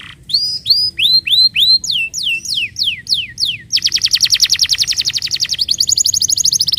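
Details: Song of a canary used to prompt other canaries to sing: rising whistled notes repeated about twice a second, falling slurs, then a sustained rapid high trill.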